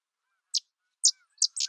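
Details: Sedge wren giving four dry, high, sharply clipped chip notes, the first three spaced about half a second apart and the last two coming closer together, with faint lower chirps between them.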